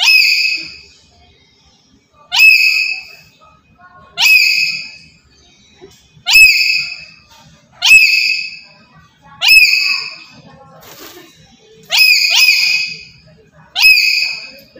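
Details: Active Black-capped lory kept as a trapping lure, calling with loud rasping upslurred screeches repeated roughly every two seconds, eight in all, one doubled near the end.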